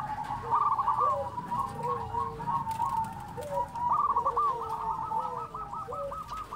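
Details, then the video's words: Local zebra dove in busy song: dense runs of rapid bouncing coos, steadily repeated notes toward the end, with low short coos underneath and a faint hiss in the background. "SUARA perkutut lokal gacor"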